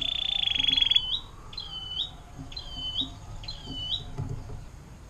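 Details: Atlantic canary in 'air mancuran' style, a tutor song for birds like white-rumped shama and long-tailed shrike: one second of fast pulsing roll, then four evenly spaced upswept chirps.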